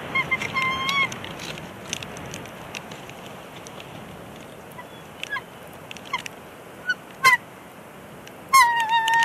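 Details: A bald eagle pair at the Big Bear Lake nest, April 2021, has a brief tiff over where a stick goes. A few high, slightly falling whistled squeals open and close the passage, with scattered short chips between and constant hiss.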